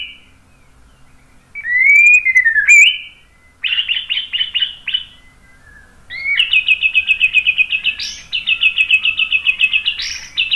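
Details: White-rumped shama, used to draw other birds into singing, gives a swooping whistle, then rapid series of bright repeated notes, roughly four per second, in two long runs.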